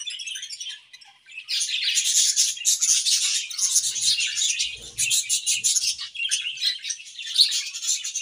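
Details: A pair of budgerigars in an aviary on a morning, chattering in a dense, scratchy high warble with fast chirps and clicks, loud and nearly continuous after a short quieter opening.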